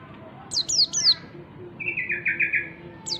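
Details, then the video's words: Wild-type white-eye (pleci ngalas) singing to lure other white-eyes: a few sharp high falling whistles followed by a run of lower, buzzy, slightly falling notes, then a single high whistle. "pancingan pleci ngalas memancing bunyi pleci"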